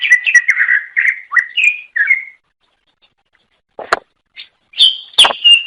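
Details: Greater green leafbird singing to lure others of its kind: a quick run of clear, warbled whistled notes for two seconds, a silence, then sharp clicks and a bright, high, sliding whistle.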